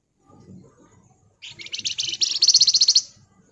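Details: Javan fulvetta (wergan Jawa, flamboyan) delivering a tight ngebren nyerecet burst: a single high, buzzy trill of rapidly repeated notes building in loudness over about one and a half seconds, after faint low rustling.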